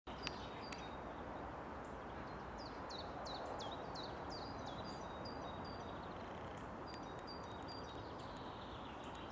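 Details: A great spotted woodpecker at Orlov Vrh, Ljubljana, on 6 April 2023 gives a short series of sharp, high, slightly falling notes about twice a second, faint over steady wind and rustling.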